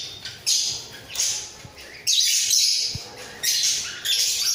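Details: A head-bobbing pair of budgerigars in their breeding cage give a run of scratchy chattering phrases, each about a second long, repeated with brief gaps and a few quiet taps.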